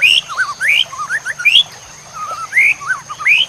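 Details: White-rumped shama song for masteran training of songbirds: loud, varied whistled phrases of rising slurs and wavering notes in quick succession, with a short pause before another burst of sweeping whistles.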